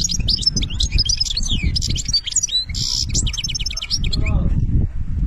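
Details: Benna song from an Algerian European goldfinch: a torrent of quick twitters, tinkling trills and a harsh buzzy burst mid-phrase, fading near the end, over steady low background noise.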